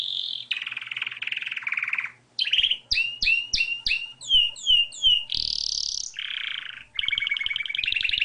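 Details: A wild Spanish Timbrado canary sings varied phrases: harsh rolling trills, a run of sharp clicking chips, sweeping slurred whistles, then a high buzz and further trills, with faint low tapping sounds beneath.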